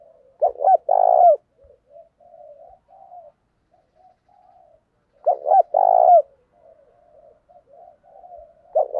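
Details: Captive decoy spotted dove changing its cooing pattern to lure wild doves: two loud phrases about five seconds apart, each stuttered coos and then a long low hoot, with quiet low murmurs in between.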